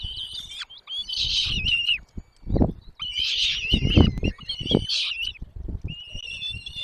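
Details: Chicks in the nest are fed by both parents and beg with rasping, high squealing bursts in several waves, mixed with low knocking and rustling from movement at the nest.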